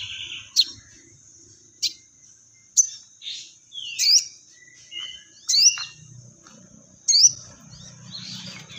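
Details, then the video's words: Crested jay, known locally as sogon, in lively voice and mimicking fighting sparrows: sharp upswept chirps and short falling notes spaced about a second apart, with faint low rumbling and a constant high hiss behind. "Burung Sogon Gacor Materi Full Gereja Tarung"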